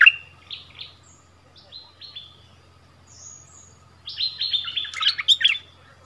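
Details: Bulbul decoy bird dueling with a new resident territory holder at its old territory: scattered soft short notes, then a louder jumbled burst of chirped phrases near the end.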